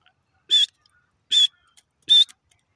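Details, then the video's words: Grey francolin, known locally as desi teetar, calling with three loud, shrill, harsh notes. The notes are evenly spaced about 0.8 seconds apart against an otherwise quiet background. "desi tetar ki lovely awaz lovely voice"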